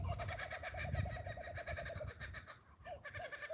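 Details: Kookaburra at a mountain homestead on a foggy 1°C day up in the clouds, giving a rapid run of harsh, cackling notes for about two seconds, then a few isolated hoots, over low rumbling wind noise.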